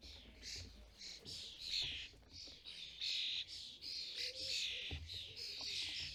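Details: At a custom-built bird feeder in the UK, European starling parents feed fledglings. Dense, overlapping scratchy calls run almost continuously, with squeaky accents and a low background rumble.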